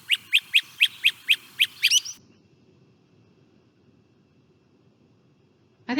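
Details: Great Crested Flycatcher song, described as sweeping whistles and a low burry vibrato, from the only eastern flycatcher that nests in cavities. About eight quick, sharp, evenly spaced notes lead into a rising sweeping whistle, then a long quiet gap and a brief note at the end.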